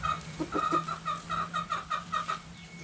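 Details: Backyard chickens playing in the dirt, hens giving rhythmic short clucks about four times a second, evenly spaced and fairly loud, over a constant low hum.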